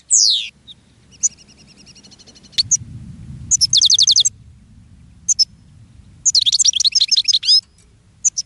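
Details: Caged goldfinch singing, attracting other goldfinches: a falling buzzy slur, a thin tinkling trill, then metallic rattling trills and a twittering burst, over low background rumble.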